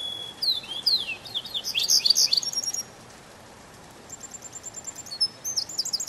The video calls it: Пение канарейки, канарейка поет в весеннем лесу